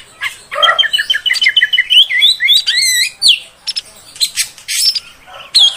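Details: Female oriental magpie-robin sound meant to rile males: a low nasal note, a rapid evenly spaced whistled run, sweeping looping whistles, then harsh scratchy bursts.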